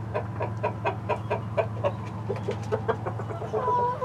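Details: Live-streamed chicken flock of hens and a Rhode Island Red rooster: evenly spaced clucks, about four or five per second, followed by a drawn-out tonal croon, with a low hum underneath.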